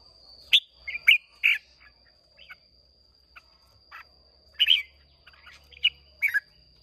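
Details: Red-whiskered bulbul of Hoà Bình origin, Vietnam, caged and contest singing: a busy series of bright, slurred chirping phrases, loud bursts separated by softer notes, with a constant high-pitched tone in the background.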